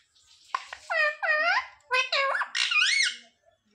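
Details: Pet parrot mimicking words such as "mummy papa": a short clicky onset, then three or four squeaky, nasal, harmonic syllables that dip and rise in pitch, spoken in a quick phrase with brief pauses.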